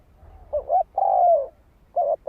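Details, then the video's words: A spotted dove calls to attract wild doves to a decoy. One complete phrase, a short twin coo then a sustained falling note, and the start of another, over a low rumble. "Tiếng chim cu gáy kích mồi cực sung"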